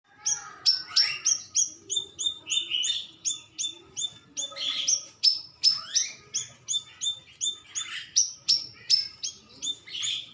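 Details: Stripe-throated bulbul lure call, used to make birds answer quickly: fast run of sharp, high chirps, each sliding downward, repeated about three times a second, with lower warbled phrases mixed in.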